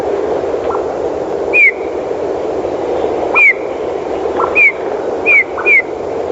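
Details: A Eurasian bullfinch in winter (black cap, red breast), arriving with the first snow, gives five soft, mournful piped whistles, each sliding briefly downward, spaced irregularly over about four seconds against a steady low hum.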